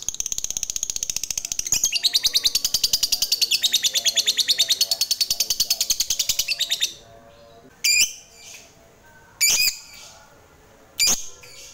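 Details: Fighter lovebird of Indonesian bird hobbyists, calling to provoke other lovebirds: about seven seconds of fast, shrill ngekek chatter, then three loud separate screeches spaced over the following seconds.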